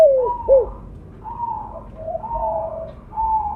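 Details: Spotted dove of mottled colour, loud and vocally active, used as a lure call. Two quick arched coos open, then longer level coos at slightly different pitches follow one another, as though answering.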